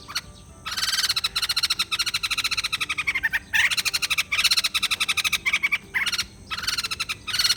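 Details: Rapid pulsed chatter of a white-crested laughingthrush in several dense, loud bursts, each a fast stutter of harsh notes with a ringing edge, separated by brief gaps.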